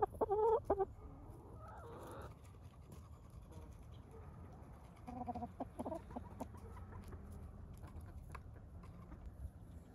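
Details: Hens and roosters settling at the end of the day while being said goodnight to: a few low clucks at the start, then softer scattered clucking over a steady background hum.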